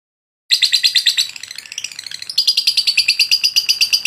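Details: Lovebird used as a training (masteran) bird, singing a long, persistent song: rapid high chirps repeated about five per second, a softer stretch in the middle, then a bright sustained run of sharp notes.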